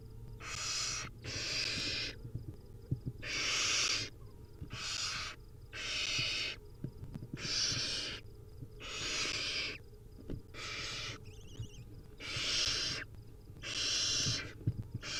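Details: Hungry wild barn owl nestlings at feeding time, a run of about ten rasping, hissing snore calls, each under a second, repeated irregularly every one to two seconds, with faint clicks and shuffling between them.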